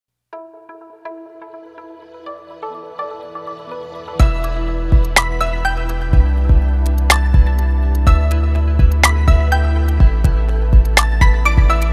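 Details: Soft melodic instrumental music builds into a steady, bass-heavy beat, with no animal calls heard.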